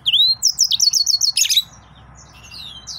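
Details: Excited male yellow-fronted canary pouring out a quick string of looping whistled notes, about eight in a row, followed by a harsh buzzy burst and softer thin slurred whistles.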